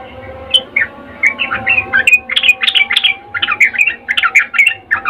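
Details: Mating call of a female sooty-headed bulbul, ngecuplik style, calling a male: scattered bubbly notes that quicken into a near-continuous stream of short, rising and falling chirps over low background hum.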